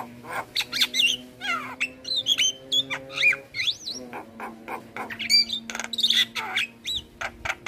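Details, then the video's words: Javan myna tutor recording: squeaky looping whistles, harsh rasps and quick chattering notes alternate, with a steady low electrical-sounding hum beneath. "Jalak kebo Gacor Parah Bikin Burung Lain yang Dengar Ikut Bunyi"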